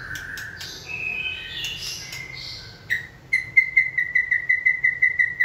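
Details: Caged white-rumped shama stimulated to sing during training: varied whistled notes glide about, then a fast, even series of short repeated chips at one pitch.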